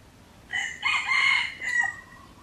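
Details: A red junglefowl near Teuk Chob Khnar Po Community Forest, Siem Reap, Cambodia, gives one short, hoarse crow of about a second and a half, in clipped joined phrases that cut off abruptly, over a faint background hiss.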